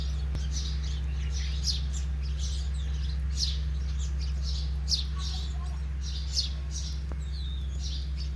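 Sparrows give quick, bright chirps, several a second in loose bursts, over a steady low electrical hum.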